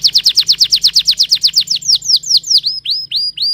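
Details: A canary sings a fast run of repeated sharp chips that slows into spaced, swooping whistles, each note dipping and then rising.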